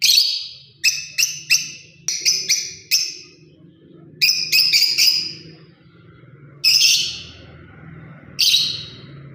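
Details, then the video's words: Lovebird parrot giving a lively series of sharp, high chirps, several quick notes in clusters during the first five seconds, then two longer harsh squeaky calls near seven and eight and a half seconds, over low hum. "Love bird parrot beautiful Chripping sounds voice"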